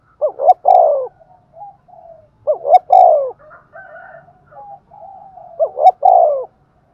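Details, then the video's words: Lively Thúc Gù cooing from a spotted dove kept as a lure for wild doves. Three phrases about two and a half seconds apart, each two short notes and a longer dropping coo, with soft murmuring notes and clicks between. "Tiếng chim cu gáy Thúc Gù bài bản rất sung và hay, bổi nghe nhanh về cội"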